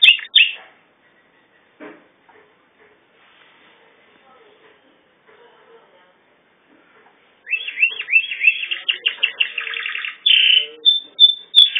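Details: Canary singing in bursts: a short opening trill, several seconds of near silence, then a lively stretch of quick rolling trills and pulsed chirps with a few whistled notes near the end.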